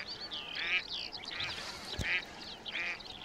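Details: A pair of mallards hidden among grass out of the water in Palestine on a freezing early morning around -2°C with strong wind give four short, nasal, raspy quacks at uneven intervals over about three seconds, with a brief thump partway through.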